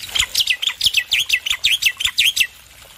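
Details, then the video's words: Loud male black-winged myna song for coaxing stressed birds to sing: a rapid, chattering run of about a dozen harsh chirped notes over two and a half seconds, then silence. "Masteran Jalak Putih Jantan Gacor Suara Keras"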